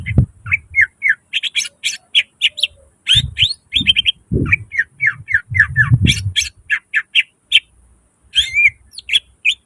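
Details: Greater green leafbird in energetic 'gacor full nembak isian' song with mimicked fillers: a fast stream of short whistled and chirped notes, some sliding, some buzzy, with low thumps beneath.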